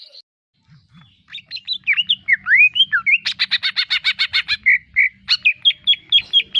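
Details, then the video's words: Greater green leafbird masteran song, loud and energetic: a rambling sequence of slurred warbled whistles, then a rapid rattling series of about a dozen buzzy notes, two clear whistles and a final run of quick chirps. "SUARA MASTERAN CUCAK IJO GACOR"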